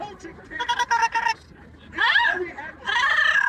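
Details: Pet yellow-naped amazon parrot making noise and singing during a commute: harsh, nasal, harmonic squawks and drawn-out cries, with short syllables at first, then longer loud calls that bend up and down.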